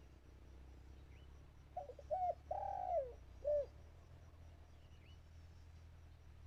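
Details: Decoy dove calling during a bird-trapping outing: one phrase of two quick coos, a longer smooth coo sliding downward, and a brief final coo. Silence and a low hum surround it, with faint thin chirps far off.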